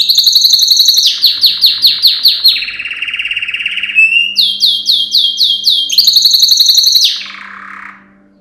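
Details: A yellow canary's training song, sung by a male: rapid rolling trills alternating with runs of sweeping downward whistles, several tours in a row, fading at the end.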